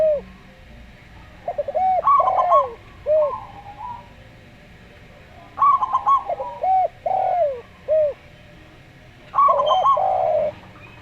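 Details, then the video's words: A zebra dove (perkutut lokal) coos slowly in soft, hooked, bubbling phrases, with a burst roughly every four seconds over a low steady hum. "Perkutut Lokal Suara Slow"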